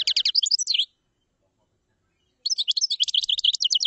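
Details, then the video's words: Chaffinch song in two bouts, each a quick trill of high notes, the first closing with a downward flourish, with silence between them. "تغريد تبلاط"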